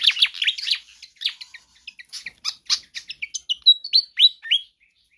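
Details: Pied fantail in full, persistent song, used as a tutor or lure recording for other birds; quick chattering notes give way to clear whistled notes, several rising, near the end.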